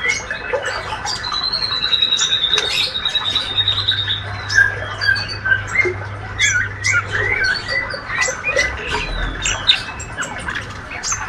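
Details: Ngriwik chatter of a healthy young male white-rumped shama: a long wavering high whistle early on, then rapid squeaks and twisting chirps, irregular and busy, with a low mechanical hum in the background.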